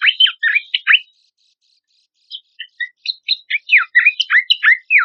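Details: Horsfield's babbler song used as a lure and training material for competition songbirds: bursts of loud, steeply falling whistles, a short gap with a few soft chips, then a fast series of varied slurs.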